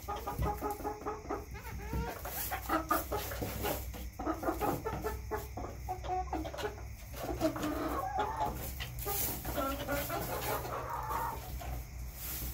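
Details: Backyard chickens keep up an almost continuous stream of low, throaty clucks and murmured calls, with some longer drawn-out notes toward the end, over a soft low background rumble.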